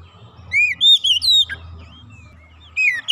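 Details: Oriental magpie-robin song, used as a prompt for a stuck, silent bird. Clear high whistles slide upward and downward in a short phrase, then a lull before two more rising whistles.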